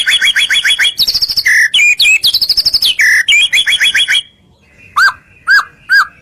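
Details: Murai batu, the white-rumped shama, singing a lure song to rouse other shamas: rapid strings of sharp repeated chips broken by short whistled bursts, then three loud, evenly spaced upslurred whistles after a brief gap.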